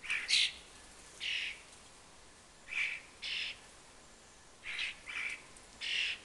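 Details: Fledgling common starlings begging around a fat ball as they follow the adults: short hoarse screeches spaced one to two seconds apart, some in close pairs, against a quiet background.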